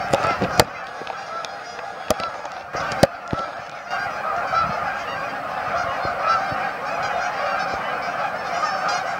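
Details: Many Canada geese honking together at a staging area, Amber Trails Lake in Winnipeg; sharp clicks and handling knocks in the first seconds, then an unbroken wash of overlapping nasal honks.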